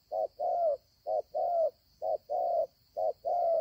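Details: Spotted dove, wild bird with a good voice, giving four evenly spaced two-part coos, a brief note then a longer smooth one, over a faint continuous high whine.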